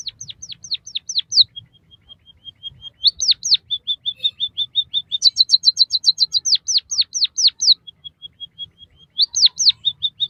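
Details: White-headed munia song used as a tutor recording for training captive birds: bursts of sharp downslurred whistles, steady high level notes and rapid buzzy trills, alternating in quick succession.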